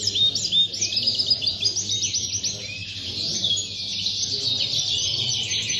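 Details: Contest goldfinch in Tarragona, 26 January 2020, first-placed: crisp, rapid high whistled notes and twangy slurred chirps in quick bursts, then a smoother, rolling twitter, with only faint low hum behind.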